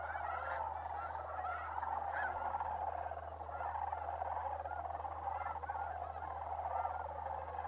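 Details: Huge flock of migrating sandhill cranes, New Mexico's Bosque del Apache Wildlife Refuge in December, calling nonstop; a thick layered roar of overlapping calls with occasional clearer looping notes on top.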